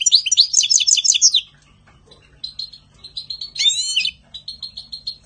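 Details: European goldfinch singing in spring: a fast run of liquid, tinkling twitters for over a second, then a pause, a soft series of short buzzy chips, and a loud sweeping trill near the end.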